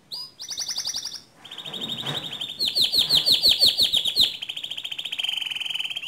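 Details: Canary singing to stir another canary into song, in the 'ngerol' rolling and 'nembak' style: steady high trills, a burst of rapid sharp notes in the middle, then a long fine rattle.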